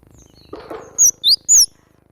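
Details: A cinereous tit (glatik batu) sings hard: three loud, pure, high whistled notes in quick succession, the last one longest and falling, after a short burst of low rustling.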